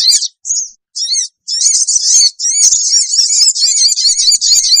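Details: Wild-bird lure of sooty-headed bulbul calls: a few short high notes, then a sustained, rapid, piercing chatter with repeated downslurred elements.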